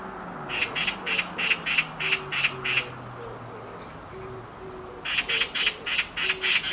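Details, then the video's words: Harsh repeated screams of a black magpie on a tree branch: two bursts of rapid grating squawks separated by a pause, with faint low tonal notes and a soft hum underneath. "Black Magpie Screams on a Tree branch"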